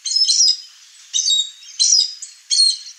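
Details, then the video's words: Wild chestnut-eared aracari visiting a rural backyard in Brazil's Cerrado biome; four harsh, squeaky, noisy bursts given in quick succession, spaced about half a second to a second apart, with no other sounds. "O Canto do Araçari castanho"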